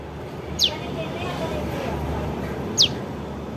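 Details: Bar-winged prinia juvenile calls used as a trapping lure: two thin falling chips about two seconds apart, partly masked by heavy low rumbling noise.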